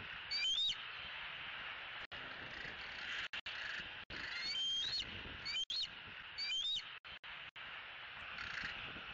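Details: Bald eagle at a Southwest Florida nest, recorded by a nest camera in the evening of 3 May 2018 as the young bird spends its last evening at home: brief high chirping whistles in quick bursts, repeated five times over continuous background hiss.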